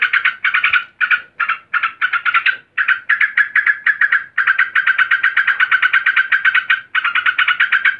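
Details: Female yellow-vented bulbul (trucukan) calling agitatedly to a male; fast, harsh chattering notes repeated in dense bursts, pausing briefly between runs, loud and close throughout.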